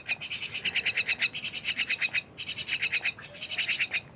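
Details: Myna delivering fast, rhythmic rattling phrases of about a dozen pulses each, separated by short pauses.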